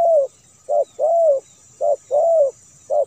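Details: Edited spotted dove song used as a lure for domestic and wild doves, with soft hooting coos: a short note, then a longer drawn-out falling coo, repeated twice in clean silence.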